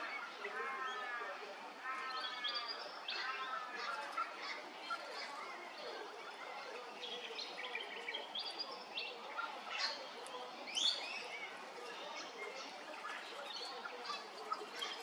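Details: Little friarbird at Hervey Bay, Queensland: a lively, busy chorus of harsh, chattering notes and rapid scratchy phrases, with several other birds calling throughout against a steady background hiss.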